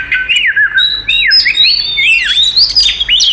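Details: Oriental magpie-robin performing a provoking fight song: clear whistled notes swooping down and up, V-shaped slurs, interspersed with thin high squeaks, sung steadily and loudly.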